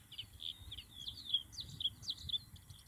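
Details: A Bluethroat, recorded in June 2021, sings a rapid, varied run of high twittering and ringing notes with short pure whistles, against faint low background noise.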